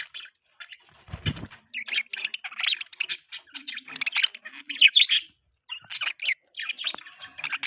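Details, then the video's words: Budgies chirping during morning feeding: rapid chattering warble of short buzzy and squeaky notes, pausing briefly, with a low thump near the start. "Morning time budgie eating feeds|Budgies chirping sound|Parakeets sounds"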